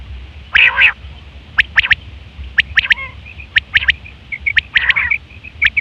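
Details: Female quail calls used for luring birds during the hunting season: a loud, harsh nasal burst, then quick clusters of sharp ticks and short high notes, with another rough burst near the end.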